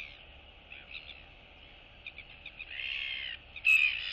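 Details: Young royal albatross chicks interacting and greeting one another in their colony, 9 September 2022: a few soft clicks, then a drawn-out nasal moan and a brief squeaky note at the end.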